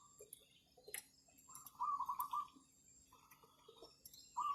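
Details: Zebra dove luring wild birds for trapping, recorded in cloudy weather after overnight rain while many birds are nesting. Short runs of fast, rolling coos repeat, mixed with clicks and faint chirping.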